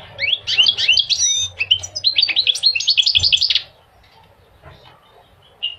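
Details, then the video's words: Quick tumbling goldfinch twitter of jumbled chirps and short slurred notes for about three and a half seconds, followed by near silence and one last thin note; recorded to prompt males to sing and tutor young birds. "Singing the goldfinch is amazing song"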